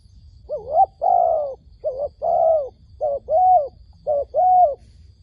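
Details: Decoy dove at a trap calling to lure wild doves. Swelling, rounded coos are given in short-then-long pairs, three pairs in five seconds, over a low rumbling background.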